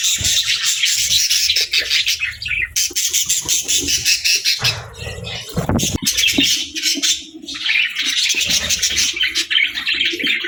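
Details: Budgies chattering at feeding time: loud, continuous scratchy squawks and chirps from many birds, with a rougher broadband burst around the middle and low thumps throughout.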